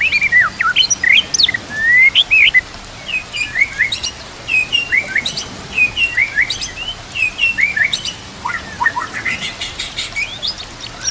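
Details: White-rumped shama song, a training recording set with nature sounds and trickling water: varied clear whistles and sweeping slurred notes, rapid chattering bursts and sharp high ticks, delivered in quick, restless phrases.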